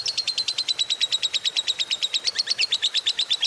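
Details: Fighter-type lovebird, a lively singer, giving long 'ngekek' chatter: a rapid, high-pitched run of scratchy repeated notes, about eight per second, held without a break and no other sounds.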